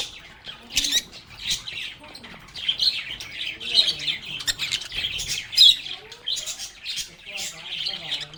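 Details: Lovebirds chirping and chattering: a steady mass of high, squeaky notes with occasional sharp accented squeaks and some softer, lower warbling phrases underneath.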